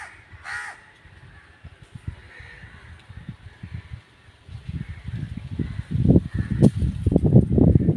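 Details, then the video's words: Crow giving a loud harsh caw near the start, then fainter caws, over heavy low rumbling and thumping noise that grows louder toward the end. "Crow bird crowing sound"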